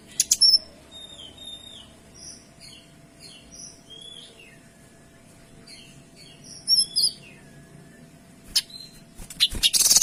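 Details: Kinoy singing in tembakan style: a soft series of thin, high whistled notes in varied short phrases, then a louder whistled burst and sharp high chips toward the end.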